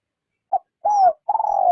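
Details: Spotted dove lure bird for trapping, gently cooing rút bổi style: a short clipped note, then two mellow, drawn-out coos, the last long and gently falling.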